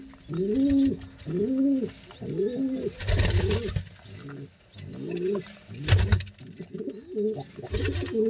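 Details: Pigeon parent feeding two chicks; rhythmic arched low calls alternating with thin high squeaks, broken by flapping bursts and scuffling thumps.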